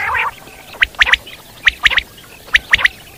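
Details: Common quail (Coturnix coturnix) in the wild, singing at sunrise: three groups of three sharp, clipped notes, each triplet quick and evenly spaced, repeated about every 0.85 seconds, with a brief rough call at the start.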